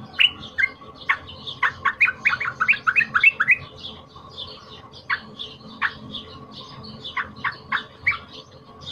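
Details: Cream-vented bulbul, a trapped bird (pikat) singing loud, highly emotional fighter song meant as a tutor for training other birds: rapid bursts of sharp, sliding chirps, then scattered single downslurred notes and brief pauses.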